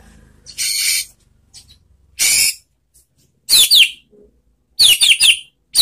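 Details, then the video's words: White-rumped shama giving a relaxed song used as a lure to make other shamas respond: broad rasping bursts alternating with clusters of sharp, high downslurred whistles. "SUARA MURAI BATU SANTAI untuk Memancing BUNYI NYAUT ¦ PANCINGAN MURAI ¦ SHAMA BIRD"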